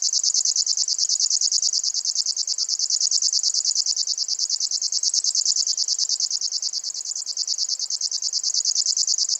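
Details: Long unbroken reel of a grasshopper warbler (Locustella): a high, cricket-like ticking trill of tightly packed regular pulses sustained for over nine seconds at constant pitch and volume, no other sounds.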